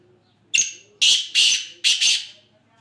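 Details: Black francolin, called kala teetar, from Sindh, Pakistan: one sharp introductory note, then a rasping three-part phrase of loud, scratchy, buzzy bursts, the last two nearly run together, over a quiet low background hum.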